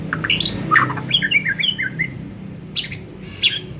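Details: Afternoon song of a white-rumped shama, recorded as a lure to stimulate singing. A string of short, bright whistled notes and chirps comes in varied bursts, then a pause and two sharp high calls, over low background hum.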